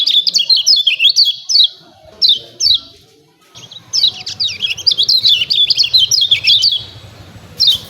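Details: Lemon-bellied white-eye chirping to provoke birds to sing: quick groups of high slurred chips separated by short gaps, a quiet moment, then a longer busy run of twittering notes.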